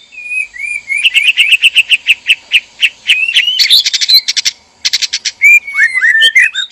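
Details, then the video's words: Male and female white-rumped shama in a captive breeding cage, calling to stir mating readiness: a run of rapid repeated whistled notes around mid pitch, then buzzy rattling bursts and sliding high whistles near the end. "PANCINGAN BIRAHI KAWIN MURAI BATU JANTAN DAN MURAI BATU BETINA DIKANDANG PENANGKARAN"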